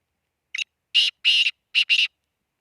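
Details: Black francolin calling: a short harsh note, then two pairs of loud, raspy, broadband bursts in quick succession, in clean silence.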